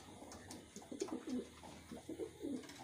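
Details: Brief run of low, wavering coos from captive-reared wild pigeons, several short notes in quick succession.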